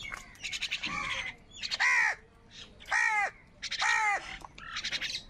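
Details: Crows fighting for food, several loud, clear arched caws about a second apart, harsh and nasal, with fainter caws between them.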